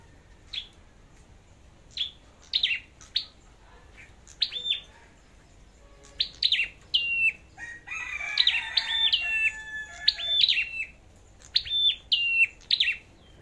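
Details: Red-headed flowerpecker singing in a competition: spaced, very high sharp ticks with short whistled tails. A second, fuller warbling bird joins midway before the thin high notes carry on alone.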